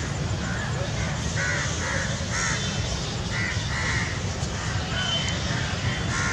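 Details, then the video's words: A group of Indian jungle crows (Corvus culminatus) on 28 November 2021 caw in harsh, overlapping bursts every second or so against a steady low rumble and faint voices. "Indian crow assembly Crow group sound"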